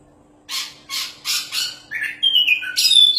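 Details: Champion Oriental magpie-robin singing hard: four harsh, scratchy bursts about every third of a second, then a sustained high whistle that drops and rises, ending in a rich warbled flourish.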